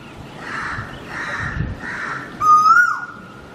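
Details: A cuckoo gives one loud, rising whistle with a quick downward drop at the end, after a few faint, hazy calls in a hissing background.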